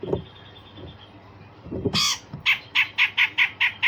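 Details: Grey-cheeked bulbul (Alophoixus bres) in full song, opening with a rasping burst and then a fast run of harsh, scratchy 'shot' notes about four per second after a quiet start, over faint background noise; used as a training song to provoke other birds.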